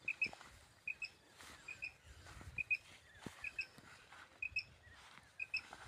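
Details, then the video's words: Common quail call used in quail hunting: crisp high chirps given in close pairs, the doublet repeating steadily about every 0.8 seconds over a quiet rural background with soft ticks. "batair ki awaz batair Madi ki awaz"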